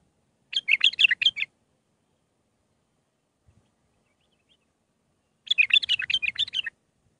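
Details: Mandalawi bulbul song, six phrases, for training young birds: a rapid rattling run of chirpy warbled notes, a pause of about four seconds, then a longer matching run.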